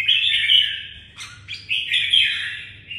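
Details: Loud red-whiskered bulbul song from a Vietnamese cage bird: a sustained bubbling warble, a brief pause, then sharp clipped notes leading into another flowing phrase, with faint low hum.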